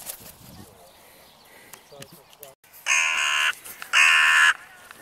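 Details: A pair of raspy, loud caws from crows in the evening, about a second apart, follow quieter rustling and faint bird chirps.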